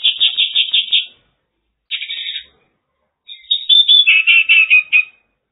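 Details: Mongolian lark recorded in China, delivering short phrases of rapid, rolling trilled notes, some fluty and descending, in three bursts with brief silences between.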